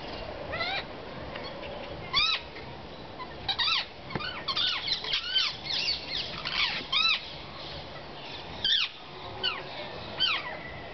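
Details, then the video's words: Wild rose-ringed parakeets chatter at a porch near a caged chick. Short, shrill squeaky calls arch up and then drop, some coming singly and others in quick clusters, over a steady faint background hiss. "Ringnecked Parakeets Chatting"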